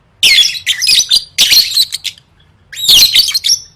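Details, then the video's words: Lovebird singing for contest training, producing loud, dense bursts of harsh twittering and shrill squeals, three main phrases broken by a short silence, faint hum below. "Suara Burung Lovebird III Latihan Gacor Gantang Siap Juara"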